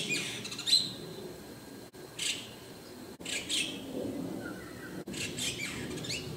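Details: A White-cheeked starling (Spodiopsar cineraceus) gives harsh, rasping, high calls in short bursts every second or so, with a thin squeaky note early on and one brief flat whistle.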